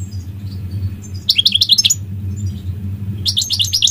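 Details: Two short bursts of quick, high twittering notes from a goldfinch, separated by a pause, over a steady low hum.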